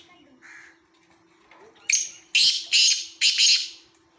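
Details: At Khushab a black francolin gives faint preliminary notes, then a sharp lead-in burst and three loud, scratchy, grating phrases close together, ending in quiet.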